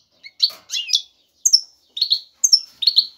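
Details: Male European goldfinch, ready to breed, calling to attract a female for mating. Short bright chirps and twitters come in separate bursts about every half second, some sliding downward, with clean pauses between.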